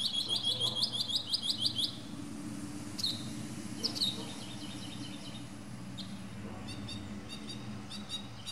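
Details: A Northern Mockingbird sings from the top of a pine tree, running through many different sounds: a rapid run of high, repeated chirps, then sharp separate notes and softer trills, over a steady low hum.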